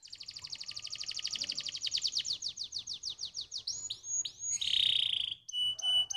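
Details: Stimulating canary song: a long rapid trill of downslurred notes, about 200 per minute, slowing into swooping rising notes, then a harsh buzzy burst and clipped steady whistles.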